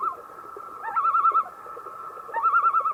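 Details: Common loon giving a drawn-out, steady hooting tone broken by two bursts of fast quavering warble, each lasting about half a second, with low background murmur.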